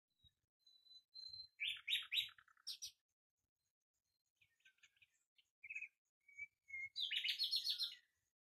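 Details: Common nightingale singing: thin drawn-out whistles give way to loud rapid trills and chattering bursts, a pause, then varied short notes and a fast descending rattle near the end.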